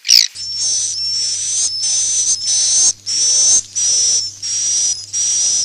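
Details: Swiftlet roosting call for luring birds into nest houses: one sharp click-like chirp, then a row of high sizzling buzzes with a faint whistle inside, each under a second, evenly spaced, over low hum.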